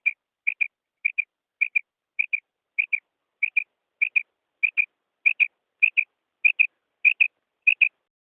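A female quail gives high, clipped double notes, quip-quip, repeated steadily about every half second against a silent background.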